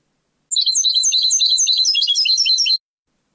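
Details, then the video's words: European goldfinch sings a rapid, tinkling continuous phrase of high twittered and buzzy notes; old cassette recording of the Moroccan Sebta-style goldfinch song common in the late 1990s and early 2000s. "CANTO DEL JILGUERO"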